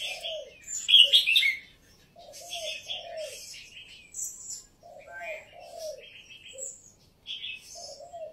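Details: Caged Red-whiskered bulbul of Vietnamese and Uttaradit lines giving quick, high warbling phrases and chirps, repeated irregularly, while a lower soft cooing from another bird repeats steadily underneath.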